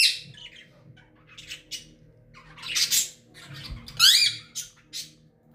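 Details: Pet green ring-necked parakeet indoors, a talking parrot; harsh, raspy squawks and scratchy calls come in uneven bursts, one rising-falling screech near the end, in a small room with low background hum.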